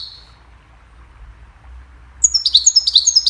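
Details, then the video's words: Goldfinch song, played to teach other birds: after a quiet stretch, a burst of rapid, high twittering notes, sharp slurred chirps repeated quickly over the last second. "Goldfinch sings a cheerful melody to teach the birds goldfinch chirping"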